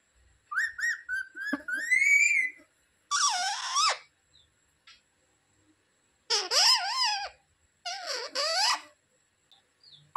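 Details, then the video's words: Pet parrot talking indoors in a quiet small room, mimicking household words such as "mummy" and "mithu ko roti do": a clear rising whistled phrase, then three harsh, strongly harmonic squawking word-like bursts separated by pauses. "Parrot talking mummy mithu ko roti do🥰mummy papa bolane wala Mitthu😱parrot talking sound"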